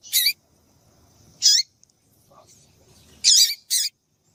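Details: Short high chirping calls of a female double-collared seedeater, used to rouse males to sing. Four brisk buzzy notes in two pairs, one early and one later, separated by near silence and a faint lower chirp.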